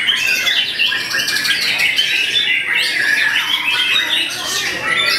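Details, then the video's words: Caged white-rumped shama singing loudly in a songbird contest: a dense stream of bright whistled notes, sharp slurs and buzzy bursts, powerful and continuous, over other birds in the background. "VOLUME KERAS!! SERASA KAPAS TEMBAK MURAI BATU BILLION BUNGKAM LAWAN LEBIH CIUT, TEMBAKAN MEMATIKAN"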